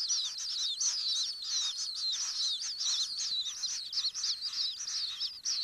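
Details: Common kingfisher nesting burrow recording with an almost continuous run of high, scratchy, slurred chirps in rapid succession, slightly wavering in pitch throughout.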